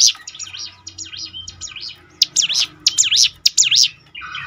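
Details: A prinia sings to coax other birds into singing more often. Rapid, high, zigzagging whistled sweeps repeat in bursts after a quieter start, ending with a short lower buzzy note and a faint low hum.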